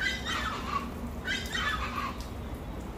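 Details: Chachalacas calling: harsh, raspy squawking notes in two loud bursts with descending harmonic bands, over low background rumble.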